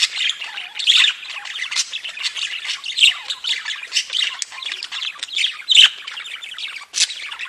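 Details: Budgerigars in a group, singing and chirping: a continuous, busy stream of high scratchy chirrups, clicks and squeaks overlapping without a break, with a few sharper louder notes standing out.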